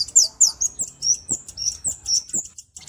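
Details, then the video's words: Short burst from a Kemade, the cabe-cabean flowerpecker: a string of very high, sharp, slurred chips in quick succession over a faint low murmur. "Burung KEMADE // CABE CABEAN"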